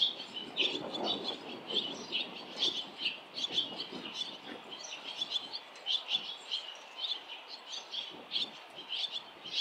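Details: Around a barn swallow fledging, parents and other fledged young crowd a street lined with nests; dense, high chirping chatter runs almost without pause, with some low rustling underneath.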